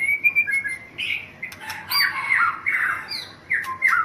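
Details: Champion white-rumped shama from Thailand singing squawky descending slurs and short whistles, phrases repeated in quick succession with brief gaps.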